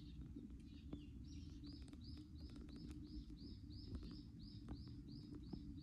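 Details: Japanese tit after fledging from a nest box: a run of short, evenly spaced, arched high chirps repeated about three times a second, over a steady low rumble and faint clicks.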